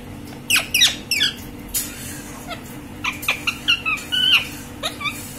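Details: Green pet parrot giving short harsh squawks, then a run of brief whistled chirps and a longer wavering whistle, against a faint constant background hum.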